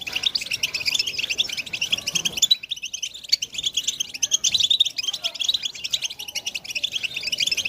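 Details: European goldfinch chorus for stimulating males to sing and mate: rapid high twitters and liquid trills from several birds at once, steady and dense, with a slightly quieter patch early on.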